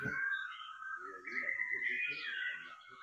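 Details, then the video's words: Female laughingthrush giving its 'ro' song, used to stimulate males to sing: continuous fast warbling of whistled, slurred notes. A low murmur runs underneath. "Khứu mái ro quá đỉnh kích trống căng hót hay"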